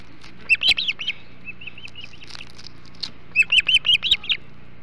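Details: Ospreys at a Hog Island nest during a huge flounder feast, 08.05 on 21 July 2016; high whistled chirps in two quick bursts of about six notes each, softer chirps between them.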